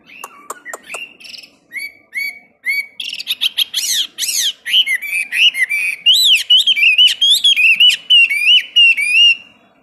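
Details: Caged Chinese hwamei practising song for 15 minutes on a morning, kept for giàn cứng play; clicks and short whistles build into a dense, rich stream of varied warbling, trilled and looping phrases without pause.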